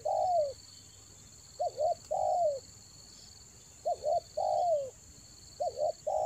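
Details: Spotted dove calls for luring in the rainy season, Toba: a repeated phrase of a quick double note followed by a longer, drawn-out falling coo, about every two seconds, with a steady high whine behind.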